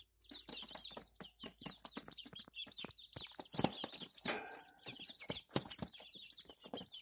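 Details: Five young Barred Plymouth Rock chicks, recorded in May 2024, peep continuously: dense, high, arched and downslurred cheeps overlap one another, with brief rustling bursts in between.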